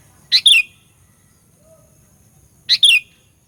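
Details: Sooty-headed bulbul in a lure recording meant to provoke rival birds: two sharp, bright double notes, each a quick high chip followed by a slurred downward note, spaced about two seconds apart over a faint low hum.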